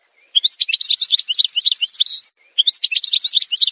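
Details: Continuous tinkling song of an Algerian goldfinch (parva), montage for tutoring birds: fast jumbled chirps and trills with a buzzy note, a brief gap, then another rapid twittering phrase.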